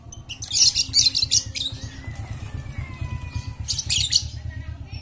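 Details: Lovebird chatter as a lure to stir silent lovebirds: dense buzzy high chattering in two spells over a constant low throbbing mechanical drone.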